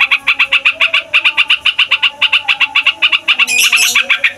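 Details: Yellow-vented bulbul delivering a long noisy rolling song meant to stir other songbirds into singing: quick stuttering series of bright notes with brief pauses, ending in a harsher, denser flourish.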